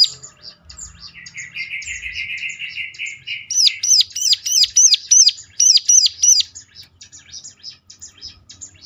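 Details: Ciblek (bar-winged prinia) song meant to provoke other ciblek into answering: soft high twittering, then a dry buzzy trill, then eight loud sharp hooked chirps at a quick steady pace, then quieter twitter again.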